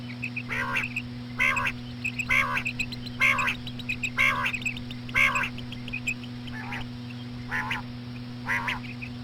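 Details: Slow female common quail calls used to draw in quail: nasal harmonic notes repeated about once a second, with a thin hum running underneath.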